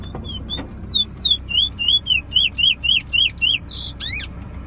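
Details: Bullfinch in full song at a bird competition near Preysal: sparse whistles building into a fast regular string of curved, twanging notes, ending with a buzzy burst and a sharp rising whistle.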